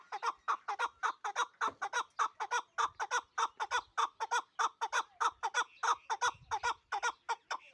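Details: Chukar partridge of the Pamir hunting type, kept in Dushanbe, repeating a steady series of hoarse, clucking chuk notes roughly three per second for the whole stretch, evenly loud, over an otherwise quiet background.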